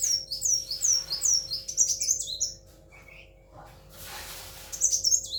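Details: Pet sunbird, a tailless bird kept by its owner, singing rapid high chirping phrases: short downslurred notes repeated about twice a second, then a jumbled twittering burst and a pause before more chirps, with a steady low mechanical hum throughout.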